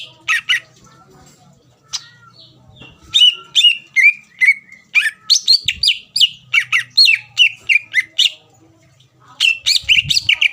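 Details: Bursts of greater green leafbird song meant to provoke rival birds: a brief opening phrase, a pause with faint low hum, then several seconds of rapid varied whistles and chirps, ending in another burst.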